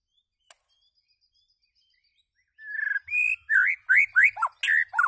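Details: A white-rumped shama begins after silence with a rising whistle, then quick slurred, looping whistled phrases and high chips.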